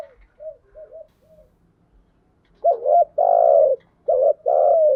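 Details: Lure cooing of a spotted dove, meant to excite kept birds, with thúc gù and gáy gọi styles. A few faint low coos come first, then two strong phrases: a doubled short note and a long, steady, deep coo.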